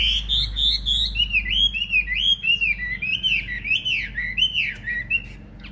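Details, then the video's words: Chinese hwamei, a big kept cage bird in fighting spread display and singing strongly: several quick repeated whistles, then a flowing series of loud wavering arched slurs and downward sweeps, with low rumbling noise beneath. "Hm 2750 - Bộ to đấu xòe hót rất tốt, giộng rất hay"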